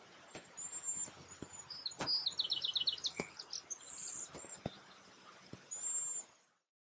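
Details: A few Cedar Waxwings at Léon Provancher marsh give their soft song, very high, thin hissing whistles repeated throughout; a quick run of lower chirps from another bird and a few sharp clicks come midway.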